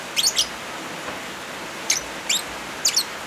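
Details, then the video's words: Lovebirds with rain as a backing, used as therapy or tutoring for silent birds: crisp, high, slightly buzzy chirps delivered in quick pairs, roughly six in a few seconds, above a steady hiss of rain. "Suara Original Lovebirds kombinasi suara hujan cocok buat terapi/masteran brg macet bunyi"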